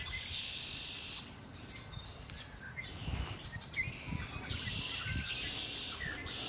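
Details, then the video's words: Birds singing by Lake Erie: bands of high buzzy trilling come in bursts of one to two seconds, with scattered short chirps between them over low steady background noise. "Birds singing by Lake Erie"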